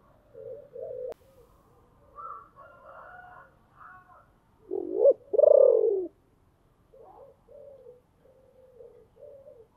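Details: Decoy spotted dove with a deep, booming voice, calling to lure wild doves: faint low coos, then a loud rising note and a broad falling coo, ending with soft short coos.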